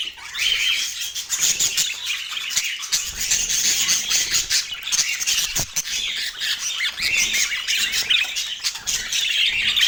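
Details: Parakeets eating breakfast on an autumn morning in natural light. They make continuous busy chattering and squawking, broken by sharp clicks and taps, perhaps from beaks or feet.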